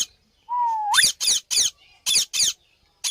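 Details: Parrot opening with a level whistle that flicks sharply upward, then breaking into a rapid series of five rough, rasping screeches.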